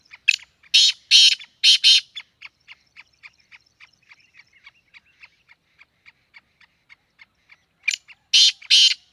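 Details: Black francolin calling in Sindh, Pakistan: three loud, harsh, grating bursts in quick succession, then a long train of faint, rapid ticking notes, ending with two more loud rasping bursts.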